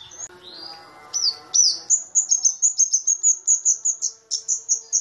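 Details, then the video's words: Lure song of a kamade, the small, loud cabe-cabean flowerpecker. An opening high sweep leads into a long, even run of sharp, very high ticking notes, about three per second, over a faint background hum. "Pancingan Cabe-cabean"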